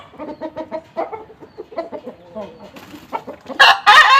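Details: Kokok balenggek chicken set out in the sun, giving a string of low rhythmic clucks before a loud, bright crow bursts out in two short segments at the close.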